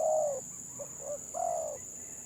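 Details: Village spotted dove in stuttering 'gagap' song: a long low coo, then two short clipped notes and another drawn-out coo, over a constant high-pitched whine.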